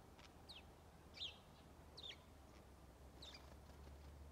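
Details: Lone house sparrow calling on Strömgatan, Haga, 21 December 2022: four thin, descending chirps at uneven intervals, fairly quiet against a constant low rumble and background noise.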